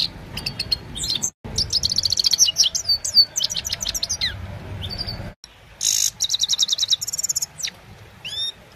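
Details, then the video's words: Himalayan goldfinch singing at evening, phone-recorded: lively stream of high twittering, buzzy trills and sharp clicking notes, broken by two brief silent cuts, with little other background sound. "Gold finch simple singing this is really amazing bird song"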